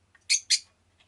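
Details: Rosy-faced lovebird kept as a pet giving two loud, harsh, high chirps in quick succession, followed by faint squeaks.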